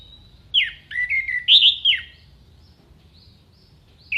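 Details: Orange-headed thrush performing contest mimicry song: a short burst of sharp whistled notes and a buzzy lower trill, then near silence and one final bright note, faint low hum in the background.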